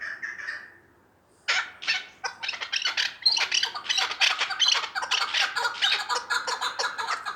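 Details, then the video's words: Chukar partridge from Vanj: a soft call, then a short pause, then a burst of loud, harsh chattering notes that settles into a rhythmic series of clucks. "Кабки Ванҷ"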